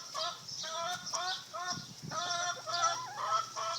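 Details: A neighbor's singing chickens utter short, repeated, nasal clucks about twice a second, some drawn into longer wavering notes, over a low hum and a steady high hiss.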